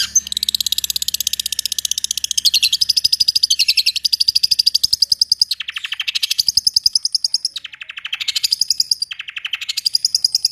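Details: Rapid rolling song of a long-tailed shrike, a fast high buzzy trill sustained for long stretches and broken by short pauses. Its pitch wavers between runs.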